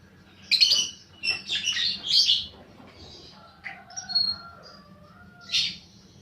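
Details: Lovebird lure recording for fighter birds, with shrill squeaky chatter bursts, then a thin, drawn-out whistled note, and a final harsh squeal.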